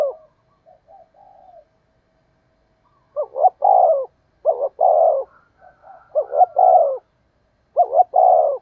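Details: Spotted dove used as a decoy, calling to lure wild doves: four low cooing phrases, each a quick doubled hoot followed by a drawn-out falling coo, spaced irregularly, with softer murmured coos in between; no other sounds.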